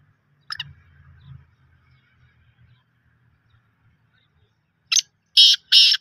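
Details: Black francolin with one harsh grating note, then a quiet gap with faint low voices, followed by three loud rasping notes in quick succession.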